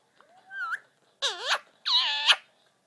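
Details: Indian ringneck, a male, chattering to himself at an iPad: a thin rising whistle, then two loud, drawn-out nasal, wavering speech-like utterances.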